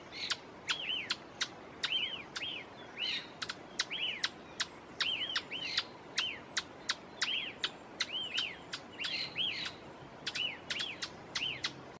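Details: Ochre-flanked tapaculo (Eugralla paradoxa) in Pumalín Park, Los Lagos Region, Chile, singing a steady run of short, arched, chirping notes, about two a second, mixed with sharp dry ticks over a faint hiss.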